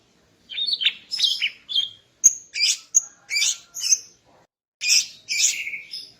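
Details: Female greater green leafbird in morning song, intended to excite the male; short bright phrases of chirps and high whistles separated by brief gaps, with one sharp click-like note.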